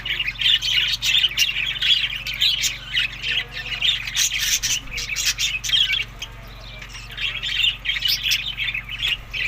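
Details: Budgerigars eating summer food in Larkana, Sindh, between May and June: many overlapping harsh squawks and chirping warbles form a constant busy chatter, with sharp clicks and a short quieter spell near the middle.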